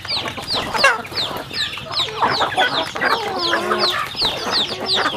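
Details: Farm chickens eating together at home in the countryside, giving rapid high downward-sliding peeps nearly three per second, mixed with lower clucks and a brief warbling trill, over steady pecking taps.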